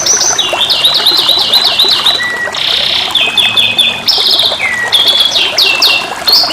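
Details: A young canary delivers a long, unbroken song of high whistled trills, rapid repeated slurred notes and short buzzy rolls, changing phrase every second or so.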